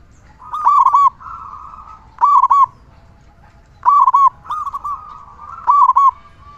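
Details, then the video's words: Loud local zebra dove singing, used to lure and excite other zebra doves. Four clear clipped coo phrases come in two pairs, each phrase of a few quick notes, with softer trilling between them. "Perkutut lokal gacor suara besar cocok untuk pancingan burung perkutut agar cepat bunyi"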